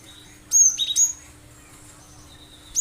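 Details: Shrill, clean 'tembakan' song of a Cinereous tit (gelatik batu), played as a lure for other birds to copy: three loud high whistles alternating higher and lower pitch in quick succession, then silence and one final note.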